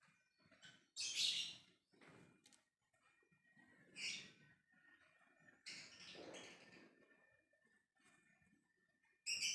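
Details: Lovebird ngekek calling to other birds: scattered shrill, rasping bursts, one strong at the start, then softer chatter and a longer raspy burst, with quiet gaps and faint low noise.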